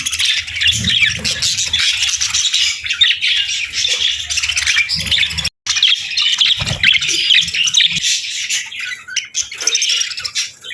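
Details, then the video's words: Winter-morning parakeets feeding on a warm meal keep up a lively, continuous twittering of rapid high squeaks and chirrups. The chatter briefly drops out for a moment midway, with a few soft low thumps. "Warm Meals for Parakeets 🦜🍽️ | Winter Morning Fun and Chirping Sounds"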